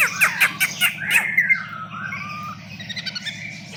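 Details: Long-tailed shrike singing: quick harsh squawking notes at first, then a drawn-out slurred whistle falling and rising, followed by soft rapid ticking notes, with a low steady hum beneath.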